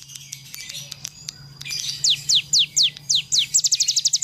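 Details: Cigun bird in full song, used as a training recording for other birds; faint scattered notes give way to loud, steeply falling whistles at about two per second, then a fast run of rapid high repeated notes, with a low steady hum beneath.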